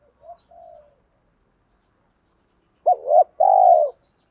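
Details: Spotted dove coo used as a lure to provoke wild doves. A soft, distant-sounding pair of low notes, then after a gap a louder nearby phrase: an abrupt rising note, a swelling hoot and a long, level, gently falling coo.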